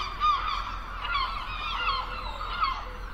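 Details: Gulls calling at the beach: several harsh, nasal, harmonic cries, some briefly rising then falling, repeated about every second over a steady hiss like surf.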